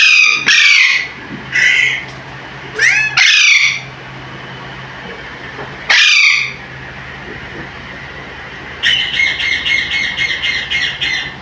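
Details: Alexandrine parakeet, a pet bird, vocalizing loudly; a series of harsh, piercing squawks with rising and falling strokes, followed near the end by a rapid run of buzzy repeated notes, and a steady low hum in the background.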